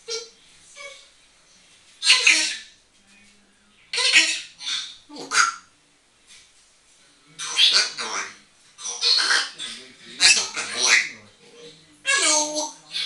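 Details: Pet African grey parrot talking and whistling playfully indoors: bursts of squawky, speech-like chatter and hoarse phrases separated by short pauses, with a small-room echo.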